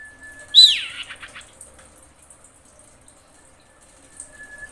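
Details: Female common iora in breeding condition calling for a male: a steady, thin whistle runs into one loud, sharply falling note with a raspy tail, then near silence with a faint chirp near the end.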